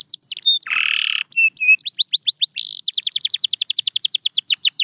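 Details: Canary singing a lively phrase: quick falling notes, a harsh buzzy burst, clipped doubled whistles, then a long even series of rapid descending whistled notes.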